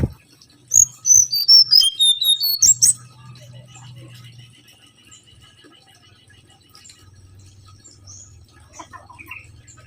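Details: Mangrove whistler lure song. A fast string of sharp, high whistles slides downward in steps, followed by a low steady hum and faint rattling in the background.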